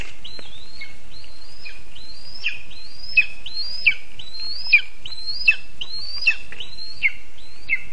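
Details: Hungry lesser spotted eagle chick begging in a nest in a spruce tree, Zemgale, Latvia, 19 August 2024: repeated sharp, slightly descending yelping notes roughly every 0.7 seconds, steady over light background noise.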